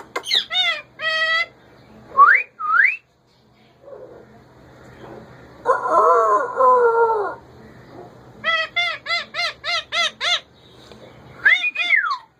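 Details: A kept male ringneck parakeet alternates sharp harmonic squawk bursts and rising whistles. A broad, voice-like jumble in the middle may be its talking, then a fast series of about seven squawks and a final rising-falling whistle.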